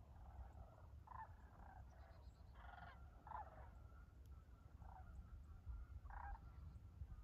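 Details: Flock of sandhill cranes flying in winter, January, above farmland beside the Tennessee River in Dayton, Tennessee; a string of faint, hoarse rattling calls comes and goes, partly masked by constant low-pitched wind noise.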